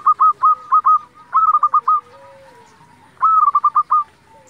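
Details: Zebra dove of local stock, singing as a lure to provoke rivals and quiet birds into song. Several staccato cooing phrases, each starting with a longer note, come in quick succession, with a soft lower sliding tone between them.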